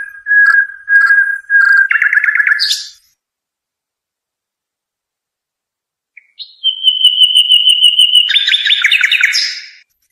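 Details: Song of a European goldfinch, used to train young birds: clear level whistles, then a quick rattling trill rising at the end; after a pause, a sustained high note turning into a busy twittering phrase.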